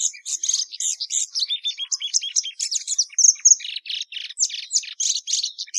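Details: Plumbeous seedeater (Sporophila plumbea) pouring out a lively, continuous song of rapid chirps, descending trilled notes and a long pure whistle near the middle.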